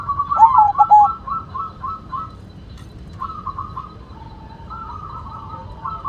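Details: Zebra dove of the white perkutut form singing: a clear burst of stuttered, slightly falling coos, then softer wavering coos from other doves over a faint background hum.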